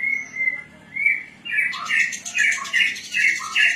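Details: Cing ciu style song of a Javan bush lark of Cilacap stock, a bird being tamed: a few drawn-out whistles, then loud rapid chirps alternating high and lower notes, about two or three per second.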